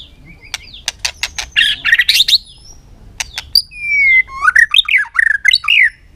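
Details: White-rumped shama in a singing contest under the afternoon sun, tail flicking; a series of sharp clicks and a rough burst lead into a long pure whistle and then a rich, varied warbling phrase.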